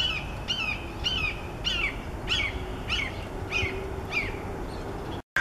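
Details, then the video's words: A red-shouldered hawk gives a steady series of about nine loud, downslurred "kee-ah" screams, one every half second, over low wind or traffic rumble; possibly calling to mates or family, mobbing crows, or claiming territory. "Red Shouldered Hawk Call ~ Hawks Calling ~ Hawk Sounds"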